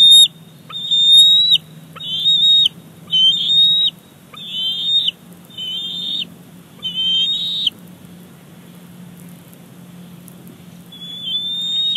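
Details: Male bald eaglet begging as his mother brings a fish, Big Bear Lake, 28 July 2019. A run of about seven rapid, piercing whistled squees that grow rougher, then near quiet until one last faint cry.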